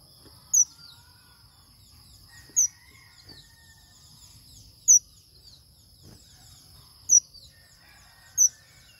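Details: A male red avadavat gives bright, high single chirps roughly every two seconds, five in all, with soft low background rumble and a steady high-pitched electrical tone.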